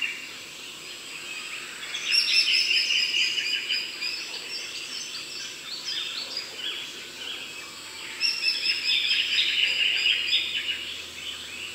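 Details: Eastern rosella, a medium-sized parrot, recorded in the Darling Downs region of Queensland above 500 m; two bursts of bright, high chattering notes near the start and again later, over a steady background hiss.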